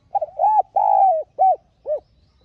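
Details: One full phrase from a decoy spotted dove, its calling-and-urging voice meant to get newly caught birds cooing: brief stuttered intro, a drawn-out level coo easing downward, then two spaced, rounded, softer coos.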